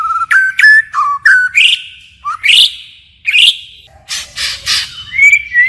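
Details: White-rumped shama in forest-style song, continuously changing phrases: loud pure whistles separated by pauses, upward swoops, a few harsh notes, and a final warbled whistle.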